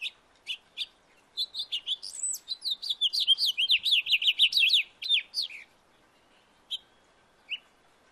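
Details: House finch singing in a backyard: a long, rambling warble of quick high chirps and slurred notes, about four seconds, then a few scattered chirps; otherwise quiet.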